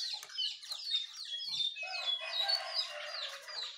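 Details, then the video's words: Morning chorus of Jongkangan, Terucukan and Pleci birds: rapid, high, thin chirps and downslurred whistles in quick succession, with a steadier lower warble joining toward the end. "Suara Burung Jongkangan, Terucukan , Pleci di pagi hari"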